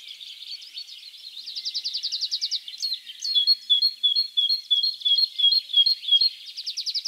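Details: Great tit (Parus major) singing in spring in the wild, described as song and mating call: a fast high buzzy trill, then a clear two-note seesaw whistle, high then lower, repeated rapidly about three times per second, with other faint chirps.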